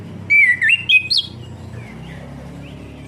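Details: Orange-headed thrush song played to stimulate a bird that has stopped singing; a rapid run of clear whistled notes, sliding and warbling upward, in four quick bursts within a second, then quiet.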